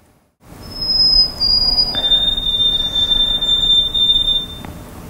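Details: White-throated Sparrow, a winter resident in New England, sings pure, clear whistles, "oh sweet Canada": a high held note, then a long, slightly wavering lower whistle, over a soft steady hiss.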